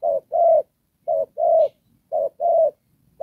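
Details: Decoy spotted dove for trapping in "Đồng Pha" style: three clear pairs, each a short note and then a longer mellow coo, about one pair per second, with a fourth just beginning.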